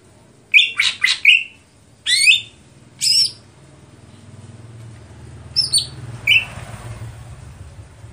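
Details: Greater green leafbird, stelan style: a cluster of harsh chattering notes, two further buzzy bursts, a pause, then a pair of high whistles and a final short chirp over a low hum.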